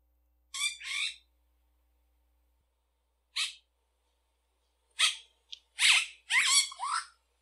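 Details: Yellow-rumped cacique singing harsh, buzzy, crackling bursts of notes in loud clusters, with a long silent gap, then a quick series of raspy phrases toward the end; clean recording with no background sound.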